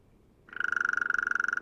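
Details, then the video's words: A Hairy Woodpecker drums a fast, even roll of about thirty beats in just over a second, with a ringing, almost tonal quality. "Hairy Woodpecker Drumming Sound"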